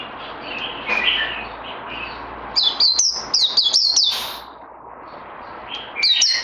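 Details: Songbird in training, 18 May 2020: soft low warbling gives way to a sudden rapid series of sharp, high slurred whistles, a brief pause, then another short bright burst.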